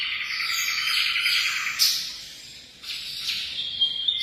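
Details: Munia giving dense, high, buzzy chirping, with sharp clicks and a brief pause before thinner twittering notes return.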